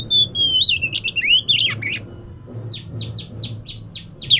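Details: Oriental magpie-robin, a kept bird, in lively varied song used to lure a lazy bird into singing: a sweet whistled phrase sliding and rising, then a burst of rapid sharp chirps repeated about four times a second, with a low hum beneath.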